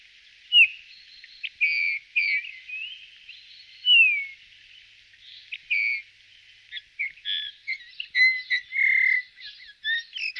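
Eurasian bullfinch giving soft, downslurred piping whistles, mixed with short creaky and twittering notes in an irregular run. No other sounds stand out.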